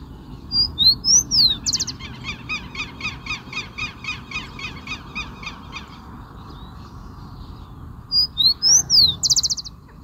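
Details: Rufous-collared sparrow singing: two or three clear slurred whistles, then a long, even, dry trill of about twenty notes. The phrase starts again near the end over a steady low rumble of background noise.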